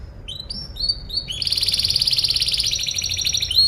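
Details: A canary sings as a tutor recording for other birds. Several short rising chirps lead into a fast, rolling high trill that carries to the end.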